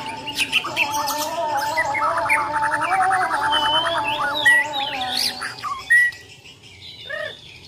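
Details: Fighting white-rumped shama from Borneo in challenge mode: a rapid buzzy trill of clipped notes, then sharp rising and falling whistles and squawky bursts, with a faint steady hum underneath.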